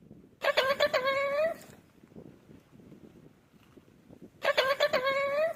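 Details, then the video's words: Pet talking parrot saying "mitthu": two loud, voice-like bursts of about a second each with strong harmonics, separated by a quiet gap of soft background murmur. "मिट्ठू मिट्ठू बोलने वाला तोता"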